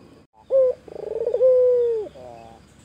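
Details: A white Barbary dove, vocal and taunting a rival, gives a short low coo, a throbbing rolling purr and a long level coo that falls away at the end.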